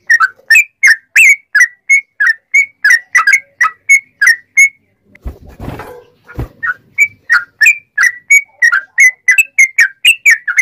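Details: Long run of sooty-headed bulbul song, loud and quick in straw-headed bulbul-like style, meant to provoke other bulbuls into singing. Steady bubbly chirps are broken midway by a short burst of rustling noise, then resume.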